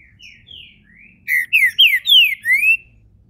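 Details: Warm-up into the main song by a captive Green-winged saltator in Brazil: quiet introductory whistles build into five loud clear notes, mostly descending slurs with a final upward sweep, over a low background hum.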